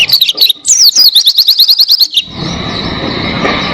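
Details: Oriental white-eye tutor recording: a quick series of high sweeping whistles, repeated about three times a second, stops after two seconds and gives way to a steady rushing hiss.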